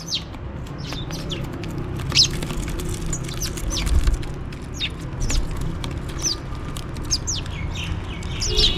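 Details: House sparrows feeding and calling for food: a steady scatter of thin, high chirps spaced through the clip, several birds answering one another, over a faint low drone.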